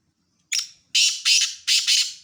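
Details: ['Black francolin calling: a harsh, grating series of four loud rasping notes, the first short and the last three broad and scratchy, some doubled, spaced about half a second apart.']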